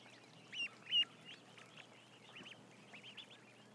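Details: Ducklings in a large flock of about a thousand: clear, high, down-curved peeps, two loud ones close by near the start, then a quicker run of softer overlapping peeps over faint background hiss.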